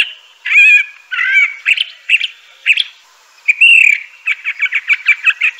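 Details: Crissal thrasher singing: warbled, rising and falling phrases, a pause, then a loud whistled note followed by a quick series of about eight short repeated notes.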